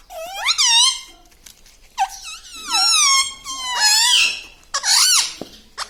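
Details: Talking parrot kept indoors, billed as saying "Papa Mummy". Long, strained, wavering voice-like phrases with rising and falling pitch run almost continuously, with short breaks between them.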